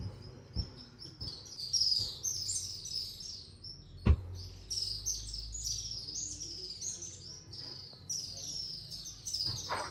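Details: A crowd of swallows, heard but not seen, twitters continuously at the Katas Raj temple roof with high, thin, overlapping chirps, a few sharp knocks and a low background rumble.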